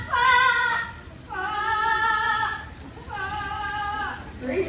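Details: Gabby, a female yellow-headed Amazon, mimics opera singing: three long, warbling sung notes, the first high, the next two lower and sliding down, separated by brief pauses.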